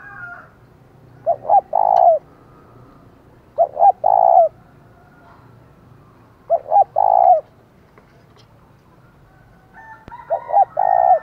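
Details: Spotted dove kept as a decoy, calling in thổ voice style to provoke rival doves: four evenly spaced phrases of two quick hoots and a longer rolling coo, about every two and a half seconds.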